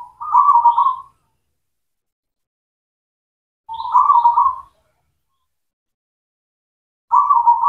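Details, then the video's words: Local zebra dove, a cemani type, singing actively as a lure to stir silent or reluctant doves into song: low, rolling, trilled coo phrases about a second long, repeated every three to four seconds against a silent background. "PANCINGAN PERKUTUT LOKAL, PERKUTUT CEMANI GACOR"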